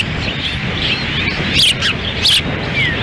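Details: Wild ospreys at a nest in Lolo, Montana, June 10, 2017, during a difficult, windy feeding of the chicks; a few thin piping whistles, two louder ones close together late on, against constant gusting wind.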